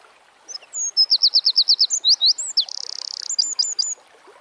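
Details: Wild Eurasian wren singing outdoors, a shrill, energetic phrase: brief introductory whistles, around ten quick evenly spaced downslurred notes, several looping notes, a fast rattling trill near the end, then four crisp terminal notes.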